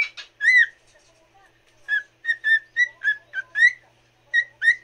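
A cockatiel sings a bright, warbling run of short whistled notes, slurred and mid-pitched, about a dozen in five seconds after a brief pause.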